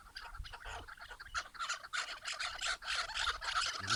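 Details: Chukar partridges calling: dense overlapping chuck notes repeated about three times per second, several birds at once, with a hissy, noisy background.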